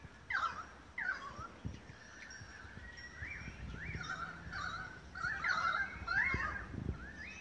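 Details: Several Australian magpies singing together in Beverly Hills, Sydney, Australia, in August 2015: bright fluted notes and arched warbles, repeated about every second, building into overlapping gurgling carols near the end.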